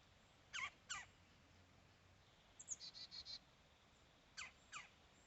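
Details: Woodpecker said to like peanut butter crackers: two sharp descending call notes, a rapid chattering series of short high notes, then two more sweeping calls, all faint against quiet background hiss.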